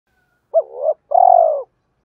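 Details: Decoy spotted dove calling to lure wild doves in the hai hậu ròng style: a short hooked coo, then a long, low, purring rolled coo that slides gently downward. Quiet background, no other sounds.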